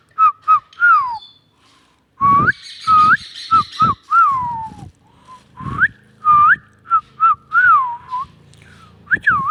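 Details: A talking Indian ringneck (rose-ringed) parakeet gives clear whistled notes that slide up and down, mixed with short raspy, word-like bursts, repeated in quick phrases.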